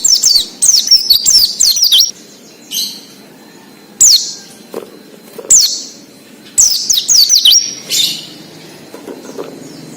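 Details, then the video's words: Ngalas-style wild song of an Oriental white-eye, used to prompt raw captive birds to sing: a quick run of high twittering down-slurs, then single sharp piercing notes spaced about every two seconds, with some buzzy fragments between. "PLECI NGALAS UNTUK PANCINGAN BUNYI PLECI BAHAN / OMBYOKAN"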